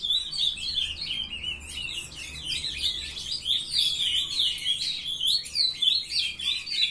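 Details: Juvenile ultramarine grosbeaks in captivity, one brown youngster just starting to sing, recorded 23 June 2020 at 7:21 a.m. Unbroken stream of rapid, overlapping warbled notes and chirps, loudness pulsing roughly every half second.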